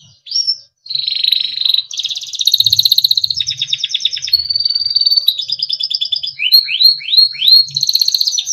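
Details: Singing Timbrado canary, small yellow bird, song meant for training young birds: varied melodic phrases of rolling trills, a level sustained whistle and a closing series of quick descending slurs, with faint low thumps beneath.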